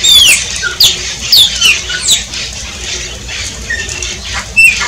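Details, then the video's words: Shiny cowbird song: a sequence of high, sharply falling whistled notes with clicky sputters, a short low whistle, a quieter pause, then a final loud falling whistle. "CANTO DO CHUPIM"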